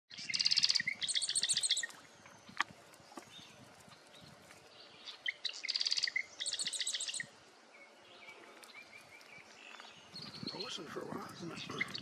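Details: A marsh wren singing at Luther Marsh: two rapid, high, buzzy rattling trills about five seconds apart, each opening with a few sharp notes, with faint wind rustling at the end.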